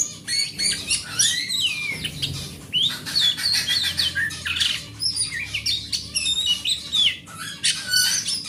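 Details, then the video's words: Big-bodied forest oriental magpie-robin, grade A, singing to encourage other magpie-robins that have gone quiet; a dense, continuous stream of high chattering, whistles and fast swooping notes, run together in long energetic phrases. "Suara Master Burung Kacer"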